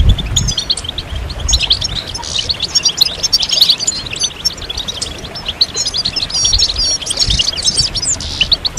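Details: Goldfinch chorus of mating calls to stimulate singing. Somewhat softer twittering and thin buzzy notes come in uneven bursts, with gaps and low background noise.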